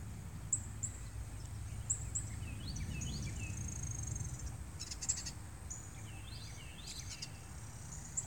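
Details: Morning birdsong in San Antonio, Texas, with scattered high sharp chirps and short falling whistled phrases from a few birds, set against constant low-pitched background rumble.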